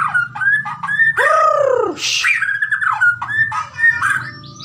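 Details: A Bahorok white-rumped shama sings rich, varied whistled phrases, with a loud downslurred note and a brief harsh burst, over a low steady hum.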